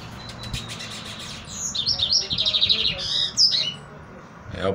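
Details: Lined Seedeater, a young promising male coming out of moult, gives a quick series of high chirped notes running into a rapid buzzy trill and a sharp final note, over a steady low background hiss.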